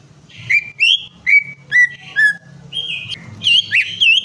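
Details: Song of a greater green leafbird, played to coax a reluctant bird into singing: a series of bright whistled notes, each bending down then holding, about two per second. A longer warbled phrase follows over a low hum.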